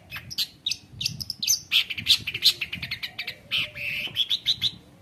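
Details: Shrike (cendet) singing a full, varied song used to train juvenile birds: rapid harsh chatter mixed with loud whistled and squeaky notes, ending in a short run of repeated high chips.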